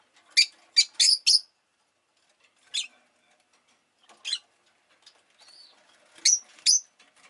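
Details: Rosy-faced lovebird chirping: a quick run of four sharp, high chirps, then scattered single chirps and a final pair, in an otherwise quiet background.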